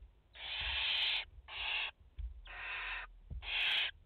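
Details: Barn owl mother with four chicks at the nest, France, 30 August 2021: four hoarse, hissing screeches, the first the longest at nearly a second, the rest shorter, with brief quiet gaps and soft bumps.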